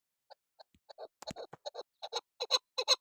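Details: Female chukar partridge call of the kind used to lure birds while hunting. Hesitant soft clucks turn into louder paired chuck notes, and one brief low knock is also heard.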